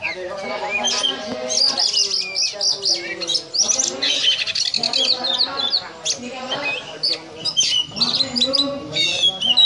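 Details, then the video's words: ['Caged oriental magpie-robin singing the ngobra style, likened to a cobra: a steady stream of high trills, chips and whistles, backed by busy lower calls and voices.'] "Kacer Ngobra Seperti Ular"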